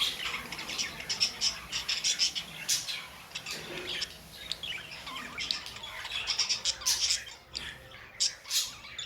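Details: Pet budgies in full chatter: rapid high chirps, ticks and scratchy squawks tumbling together, with brief pauses and some sharper notes near the end.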